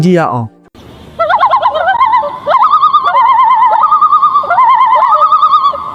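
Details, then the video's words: A Common Loon gives its unusual, sometimes frightening long, quavering, wavering calls at mid pitch, notes overlapping and held for several seconds after a brief falling sound. "လွန်းတွေရဲ့ထူးခြားပြီးတစ်ခါတစ်ရံကြောက်စရာကောင်းတဲ့အသံကိုနားထောင်ကြည့်ရအောင်။"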